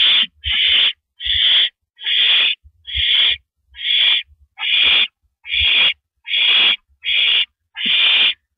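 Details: Owl on a porch perch at 8:17 PM, April 9, 2012, giving around twelve raspy, hissing bursts in an even rhythm about 0.7 seconds apart, with soft low thumps between some calls.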